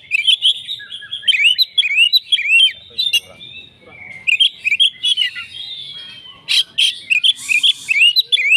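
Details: Fighting Oriental magpie-robin singing persistently: quick chains of looping whistled notes and crisp chirps in bursts, a softer stretch midway, then a loud harsh note before the rapid looping whistles return.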